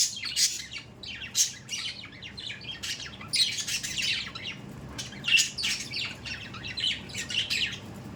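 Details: Budgerigars kept at home chatter in rough bursts of buzzy, crackling notes, each burst separated by short pauses, with the level rising and falling throughout.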